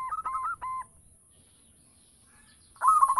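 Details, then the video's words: Local zebra dove used to lure other doves: a few clipped cooing notes, a second of silence, then a louder slurred stuttering burst, over a faint steady high hiss. "Perkutut lokal gacor - RAJA PANCINGAN"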